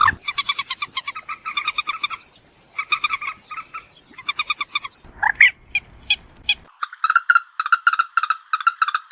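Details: Common moorhen (trích rẽ) call used to lure birds at night. Rattling bursts of fast repeated notes are broken by short pauses, then a squawk, then a long string of quick, even clucks.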